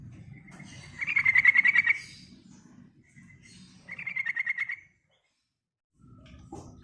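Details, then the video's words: Yellow-vented bulbul singing actively in rolling, chattering style, used as a lure to stimulate other birds; two fast, buzzy trills of rapidly repeated notes, about one second each, separated by a pause over a low background hum. "Burung Trucukan Gacor Ngerol, Ngeriwik Bagus buat Pancingan"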